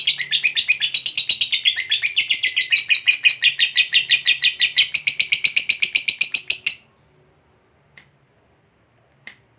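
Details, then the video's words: Fighter lovebird giving a long 'ngekek panjang' trill meant to draw other lovebirds into singing: rapid, harsh, evenly pulsed chatter of about six notes a second for nearly seven seconds, then abrupt silence broken by two faint clicks. "Suara Burung Lovebird Ngekek Panjang ini, MENARIK Lovebird Lain Untuk Ikut BUNYI"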